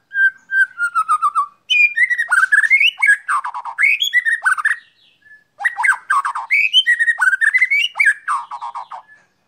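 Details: White-rumped shama sunned in its cage, opening with descending clear whistles, then long fluid runs of warbled, rising and falling notes with a short pause midway.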